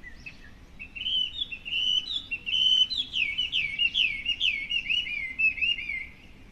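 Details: Chinese hwamei singing in a hedge by a house in Japan in the morning: a rich, fast-flowing song of bright whistled phrases and trills, building after a quiet start and then tapering off.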